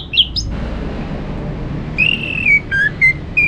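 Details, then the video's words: Orange-headed thrush (anis merah), a kept bird from Singaraja in North Bali, giving spaced clear whistled notes at varying pitches, with a faint noisy background and a brief sharp note at the start. "Untuk Merangsang ANIS MERAH Berani Bunyi Dalam Krodong Ataupun Pada Pagi hari"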